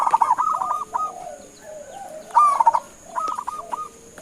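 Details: Zebra dove, a local Indonesian perkutut, calling to make other birds answer: soft hooting coos near one kilohertz in short phrases, other doves cooing behind, a steady high electrical whine throughout.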